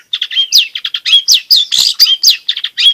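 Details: Varied long-tailed shrike song for provoking lazy shrikes to sing and for tutoring young birds; downslurred whistles woven among fast chips, with a raspy burst in the middle.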